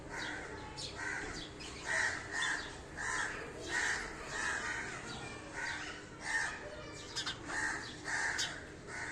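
Sparrows give harsh, buzzy chirps in irregular bursts, about one every two seconds, with several birds overlapping against a soft background hiss.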